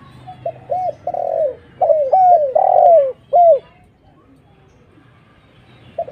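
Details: Spotted dove lure call used to attract other doves: a quick series of arched coos and drawn-out falling notes over about three seconds, then near silence with a single faint coo at the end.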